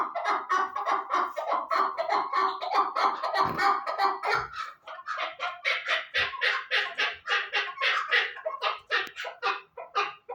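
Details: Chukar partridge delivering a long, steady series of rasping, rhythmic chuck notes, about three or four each second, growing sharper and more spaced toward the end.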